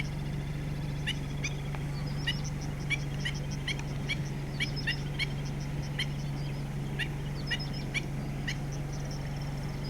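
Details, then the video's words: Alarm calls of a black-winged stilt warning its young in a Taiwanese wetland at Yuanlin in July 2016: short, piercing notes in quick clusters of two or three, separated by brief pauses, over constant low mechanical hum. "Black-winged Stilt_going back and forth making warning sound for baby bird."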